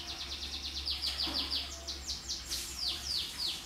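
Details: Canary song meant to stimulate stressed canaries, heard more distantly: series of falling whistled notes repeated a few per second over a background hiss and low hum.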